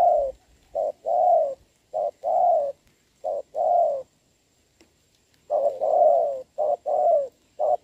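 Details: Large, strong-voiced wild spotted dove cooing in rain against a decoy, 26 November 2022; repeated soft coo couplets, short note then drawn-out note, a silent gap mid-way before the series resumes.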